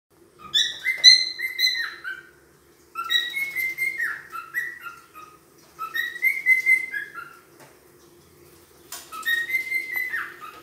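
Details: A wild cockatiel (Nymphicus hollandicus) gives bursts of bright, warbling whistled calls that rise and fall, in four phrases a few seconds apart, over a faint steady hum.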